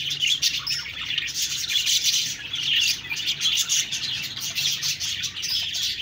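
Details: Loud, constant twittering from a group of budgerigars, high chirps and trills layered thickly throughout.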